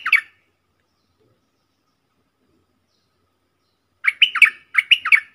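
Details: Bulbul calls from a decoy bird, one of four decoy birds recorded in real forest on 31 July 2021: a short burst of bright, warbled notes, then silence, then a run of quick bubbly phrases near the end.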